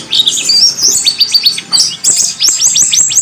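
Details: Warbling white-eye tutor song for training birds, a rapid run of high, sharp chirps and down-slurred whistled notes repeated quickly in short bursts, then a flurry of quick rising-and-falling twitters.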